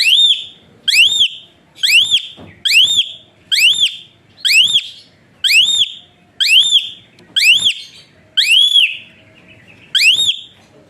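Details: Asian pied starling whistle song, used as training material to make quiet birds sing, a long steady series of about twelve loud arched whistles, each rising then dipping, repeated roughly once per second.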